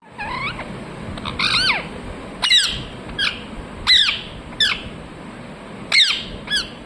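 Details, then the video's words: Parrot said to be talking and repeating "mithu mithu": a series of short, harsh, harmonic squawks with rising and falling bends, spaced irregularly, about one every second, over a steady high hiss. "Parrot talking mithu mithu"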